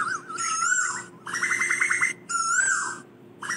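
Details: Asian koel calling its flock, giving long, wavering whistled notes alternating with fast, bubbling bursts of short rising notes, and a faint steady hum underneath.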